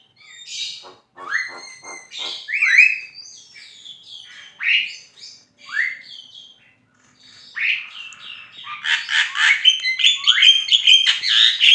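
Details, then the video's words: Javan myna (jalak kebo) singing gacor: clicking rattles and sharp rising whistles repeated about twice a second, ending in a quick jumble of chirps and squeaks. "JALAK KEBO GACOR FULL MASTERAN"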